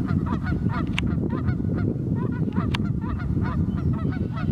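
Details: Geese on the Pend Oreille River in North Idaho, very cold morning: dense chorus of short nasal honks tumbling over one another with hardly a pause, above a strong low rumble.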